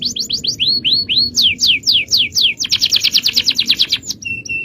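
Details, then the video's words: Male canary delivering powerful cengkok song: series of downward-curving whistled notes speeding up into a rapid trill, ending with short flat whistles. "Aksi Kenari||Cengkok Jawara||Full Power Canary Action||Cengkok Champion"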